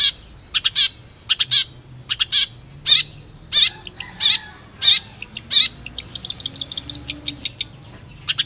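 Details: Full-throated Long-tailed Shrike singing: paired harsh rasping bursts spaced about half a second apart, then a quickening series of short scratchy high notes.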